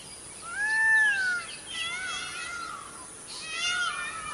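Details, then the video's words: Indian peafowl calling with a few drawn-out, arched wailing notes that rise and fall, the first loudest, followed by softer overlapping cries. "peacock's sound"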